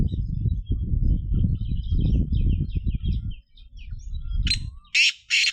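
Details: Three loud, harsh, buzzy black francolin notes close the recording. They follow several seconds of low rumbling noise with soft twittering of small birds in the background.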